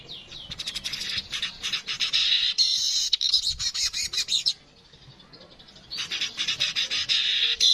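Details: Streaked weaver, known as manyar kepala kuning, in a song recording for tutoring cage birds: rapid stuttering chattering and buzzy trills, a short pause, then renewed fast chatter and sizzling buzzes.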